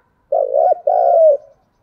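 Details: A spotted dove's lure call for stirring up other doves: a throaty two-part coo, a wobbling first note breaking into a longer, smooth, slightly falling second note, over a silent background.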